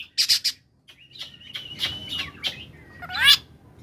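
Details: Oriental magpie-robin of the koslet type singing as a lure for lazy singers: a few harsh bursts, a long wavering whistle and a final descending buzzy phrase, over a faint background hiss.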